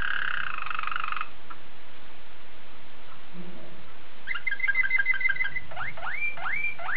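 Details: Belgian Waterslager canary opens with a rolled bubbling tour, falls quiet for about three seconds, then resumes with a fast pulsed trill and several rising swooping whistles.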